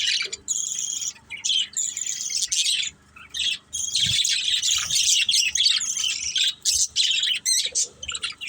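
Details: Playing budgerigars from one family keep up a continuous high, chattering warble of rapid chirps and buzzy squawks, pausing briefly twice, with faint low knocks in the background.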